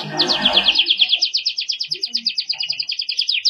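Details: A soft burst of low music or background noise is heard at first, then a canary takes over with a long, rapid, evenly repeated trill. The bird sings the 'cengkok mewah' style used to train other canaries.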